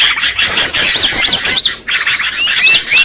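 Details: Green leafbird uttering its excited 'ribut' lure call: fast high trills with sharp up-and-down whistled flicks, a short pause, then another rush of chirps and looping whistles.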